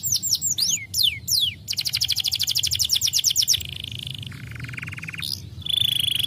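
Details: Canary singing hard, played to prompt lazy canaries: downslurred whistles, a long rapid pulsed trill, then buzzy level tones that step lower and then jump higher.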